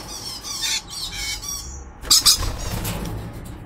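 Weber's lorikeet giving harsh, shrill screeches in short bursts, several in the first two seconds, then two loud rasping squawks near the end.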